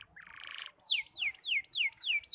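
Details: Young canary still learning to sing, its song broken and choppy: a short buzzy trill, then five quick descending whistled notes repeated in a clean series, with no other sounds.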